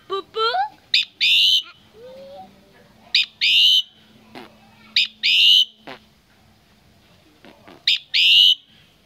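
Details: Common myna recorded at Tet 2018 during a family visit, repeating loud buzzy rasping notes about every two seconds, opening with a falling whistled sweep and a soft rising whistle.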